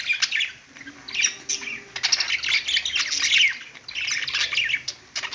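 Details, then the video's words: Pet budgerigars give a continuous, scratchy warble of chirps and squeaks from their perch, rising and falling in loudness over several phrases. "budgies singing on perch"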